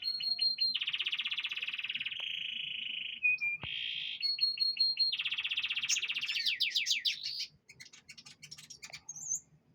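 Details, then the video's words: Caged canary singing during a dewing session, with rapid buzzy trills and rolled phrases, a sharp rising whistled note mid-way, and fast descending chirps before trailing into sparse high notes. "pengembunan burung kenari v konin"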